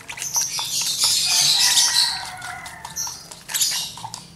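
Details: Hand-fed lovebird chick about one month old begging: continuous shrill, scratchy squealing with rapid flutter-like pulses, gradually fading toward the end.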